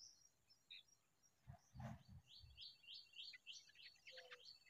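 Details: Begging from a very hungry familiar chat chick: rapid, buzzy, high-pitched squeaks in an uneven string, with a few low thumps in the background.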